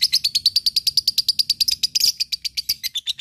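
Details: Nonstop rapid lovebird ngekek chatter, six or so sharp, buzzy notes a second, briefly roughening midway. The bird uses it to provoke rival birds and to train fighting birds to respond quickly.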